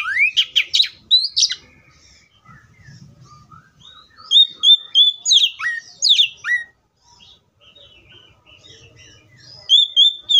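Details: Oriental magpie-robin pouring out quick bursts of rising and falling whistles and chattering notes, interspersed with quieter pauses and a few longer steady whistles, with a faint low hum beneath.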